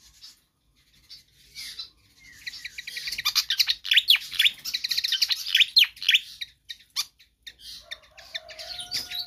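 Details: Pied fantail in lively, persistent song for tutoring or luring other birds; a soft start builds into fast chattering high chirps about three a second, ending in scattered notes over a faint low tone.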